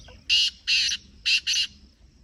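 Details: Black francolin, a kept bird let out of its cage for an hour or two, giving four loud, harsh, grating bursts in two pairs. Each burst is short and rasping, with quiet gaps between them and no other clear sounds.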